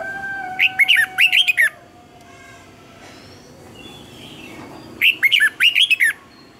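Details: Training song of a red-whiskered bulbul: two bursts of fast bright chirping whistles, five or six notes each, separated by a quiet gap with faint background hum.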